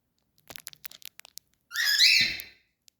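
A cockatiel gives one harsh, screechy call that rises and falls, after a run of soft clicks.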